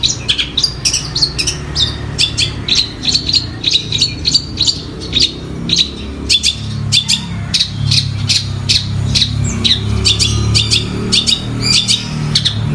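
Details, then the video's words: Long-tailed shrike singing vigorously while copying the calls of sparrows (gereja tarung) and tengkek buto: rapid sharp chirps and squeaky high notes in uneven bursts, roughly 100 per minute, over a low rumbling background hum. "Cendet Gacor suara Gereja Tarung dan Tengkek Buto"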